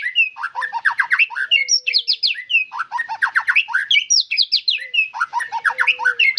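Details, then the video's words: A loudly singing white-rumped shama repeats dense bursts of quick, jumbled chirps and high whistles in phrases about every one and a half seconds, with a soft low whistle below. "MURAI BATU GACORRR FULL DURASI"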